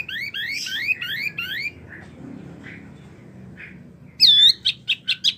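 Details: Lively mini wambie singing, meant for tutoring prize birds: a series of rising buzzy sweeps, faint scattered notes over background hum, then loud sharp whistles repeated in a quick row.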